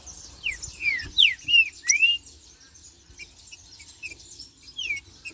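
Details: Green-winged saltator in marcheando style giving a short phrase of four or five bright sliding whistles, then near quiet with a faint whistle at the end and soft high background twitter.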